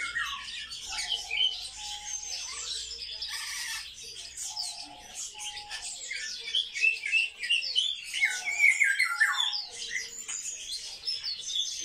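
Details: Captive sparrows, described as highly social, twitter in a constant mass of sharp overlapping chirps, growing louder and more excited in the second half, with short steady tonal whines in the background.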